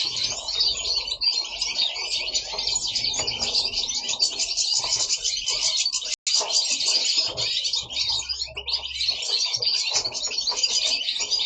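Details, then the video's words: Several caged goldfinches singing together at home in Italy: a dense, continuous chorus of rapid twittering and tinkling notes, with overlapping voices and one brief gap near the middle. "Goldfinches singing at home"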